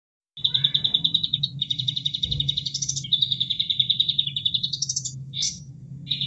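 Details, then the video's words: Bulbul song for training caged birds: a long run of rapid, evenly repeated high chattering notes, then a brief rising whistled phrase, over a steady low rush of running water. "Masteran Kapas Tembak Buat Isian Burung Anda Plus Suara Air Supaya Relax"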